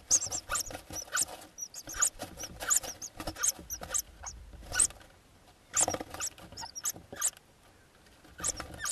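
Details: Eurasian hoopoe chicks in Hungary, 13–15 June 2024, around their ringing day while preparing to fledge, give hissing, wheezy bursts and thin high squeaks in irregular clusters, with soft rustling between them.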